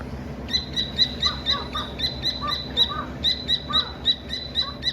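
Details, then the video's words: Baby Dakni teetar partridge chirping: bursts of quick, bright high-pitched chirps in uneven runs, with softer lower peeps mixed in and a constant thin whine running behind. "Amazing and Real Chirping Sound of Dakni Teter Baby"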